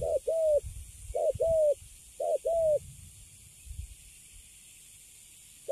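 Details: Freshly caught young spotted dove, called Cấn Sấm, cooing in a cage: three clean paired hoots, short then long, followed by a quiet pause and the start of another, in a fairly still setting.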